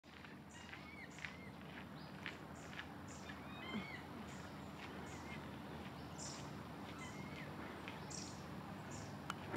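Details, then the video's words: Great tit phrases of short, bright two-note calls, mixed with a chiffchaff's high, evenly spaced chirps, over a steady low rumble and hiss. "Kohlmeise & Zilpzalp great tit & chiffchaff"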